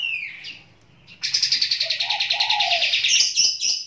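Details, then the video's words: Sooty-headed bulbul singing while bathing in water: a descending whistled note, then a fast buzzy chattering trill of about twenty pulses lasting two seconds, with soft low warbled notes beneath and sharp chips at the end. "burung kapas tembak tetap gacor wau posisi lagi dalm air"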